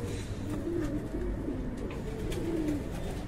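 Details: Several short, throaty coos from fancy pigeons kept on a breeding farm, each a brief warbling phrase repeated roughly every second, over a droning background hum.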